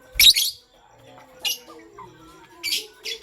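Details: Morning chirping of pastel gray and green lovebirds: loud, harsh high-pitched bursts, one long at the start, then shorter sharp calls spaced about a second apart over a faint low hum.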